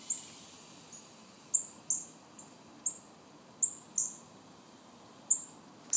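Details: Baby northern cardinals giving thin, very high chips that slide downward, spaced irregularly about once a second, with a few fainter notes between and a soft steady background hiss.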